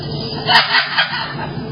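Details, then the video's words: A pet cockatoo laughing hysterically before bed: three loud, harsh, harmonic bursts in quick succession, each under half a second, followed by quieter squawky sounds, over a steady indoor background hum. "the cockatoo was laughing hysterically before bed!"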